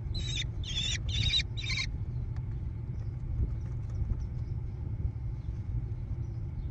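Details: Nestling American kestrels in a barn-side gravel nest box overlooking rolling meadows near Prairie du Chien, Wisconsin, June 2022. Four rasping, squealing bursts open the recording, then only a low rumbling hum remains.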